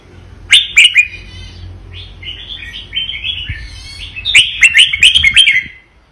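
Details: Vietnamese red-whiskered bulbul, a caged songbird, singing in the doubled "roong berl" style: bursts of bright, chattering warbled notes open and close the phrase, with softer slurred whistles in between and a faint low hum underneath.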